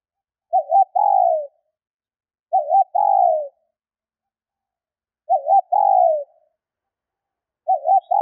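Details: Hen spotted dove giving its call to rouse males, four repeated phrases roughly every 2.5 seconds, each a quick wobbling two-note coo then a drawn-out descending coo; no other sounds.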